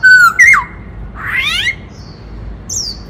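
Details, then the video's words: Black-throated laughingthrush in dancing song with shifting voices: two loud whistled notes, the second sweeping sharply downward, then a buzzy rising scrape and a faint high note. "Khướu bạc má hót múa - Chim khướu hót đảo nhiều giọng hay kích bổi - Tiếng chim Khướu hót"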